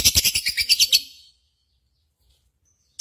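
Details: Lovebird lure sound played to stimulate pet birds to sing for contests: a rapid run of about ten harsh, buzzy chirps in one second, then silence.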